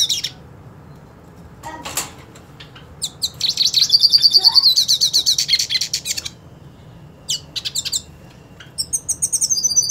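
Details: Purebred hooded siskin wanting to fight a rival hooded siskin: scattered high chirps, a long fast buzzy trill of many pulses, a pause, then more quick chirps and a short trill.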